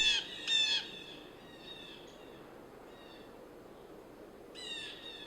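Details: Blue Jay alarm cries warning other birds and mammals of an approaching Northern goshawk; two harsh, high, squawking bursts in quick succession, then a long quiet stretch before a third burst near the end, over a steady background hiss.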